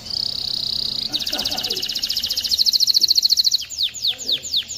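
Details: Canary song meant to train young birds to sing and stir females toward mating: a steady high buzzy trill, then a fast rattling roll, breaking into a few rapid downslurred whistled notes.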